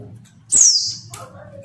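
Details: A female Mountain White-eye, calling to provoke males that rarely sing, gives a single sharp chirp that sweeps down from very high. A weaker lower note follows, over a low hum.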